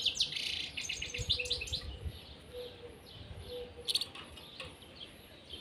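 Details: Caged pair of European serins: fast, high, tinkling song with dense chattering notes at the start, then sparser sharp chips and a short burst near the end over faint low background hum.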